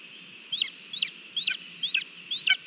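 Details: At a Latvian nest on 18 July 2022, a lesser spotted eagle eats a mole on its own, seen by a live camera. Five short, high, hooked yelps repeat roughly every half second over a steady high hiss.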